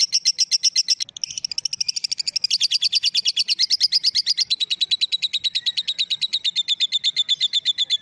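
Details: Female lovebird giving a long ngekek call: a rapid, unbroken series of high, harsh pulsed chatter, about seven notes a second, holding steady and gradually dropping slightly in pitch over eight seconds.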